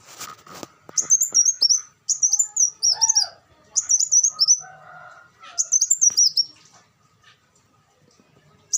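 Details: Olive-backed sunbird song in short bursts of high, sharp, twittering notes, each phrase about a second long and separated by brief pauses, with faint lower chirps and clicks in between.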